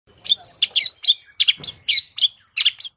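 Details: Long-tailed shrike lure song, rich in varied phrases: quick bright chirps and short whistled slurs tumbling one after another about three times a second, with a low brief rustle midway.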